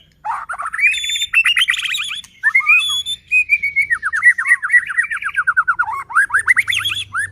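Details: White-rumped shama in full song, used as a lure to provoke other shamas into singing and make them agitated: a rich, continuous run of rapid rising whistles, clear slurred notes and fast buzzy trills, varied throughout with barely a pause.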